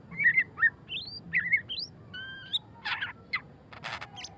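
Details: Ngeriwik-style singing from a white-rumped shama (murai batu): varied whistled notes, rising slurs and a steady held tone, then harsh rasping bursts toward the end.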